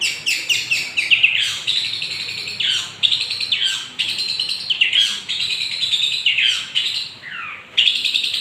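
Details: A young long-tailed shrike in full song, played to provoke other birds. Dense, rambling, high warbling with rapid chatters, sharp notes and downslurred whistles, almost without pause.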